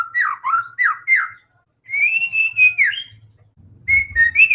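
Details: White-rumped shama song played to make other shamas sing: a few downslurred whistled notes, then sustained clear whistles and short rising phrases, with faint low hum in the background.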